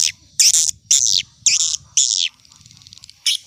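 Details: Swiftlet calling sound in an old-style lure recording used to attract swiftlets: five loud, buzzy, high twittering bursts about half a second apart, then a short pause and one more burst, over a faint low rumble.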